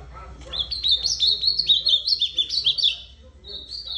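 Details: Ultramarine grosbeak delivering a rapid, warbling song of high, sharply slurred notes, about two per second, rising and falling for nearly three seconds and then a brief closing whistle, over a faint low background hum.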